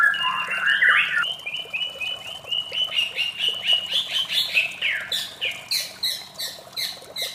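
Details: White-rumped shama singing in the morning: a long bright whistled phrase of rising and sliding notes, then a run of quick sharp chips repeated about four times a second.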